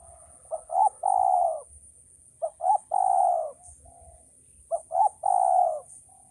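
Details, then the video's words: Calling male spotted dove giving three repeated coo phrases in quick succession, each two brief notes then a drawn-out falling coo, spaced about two seconds apart, with faint low background hum. "suara burung tekukur"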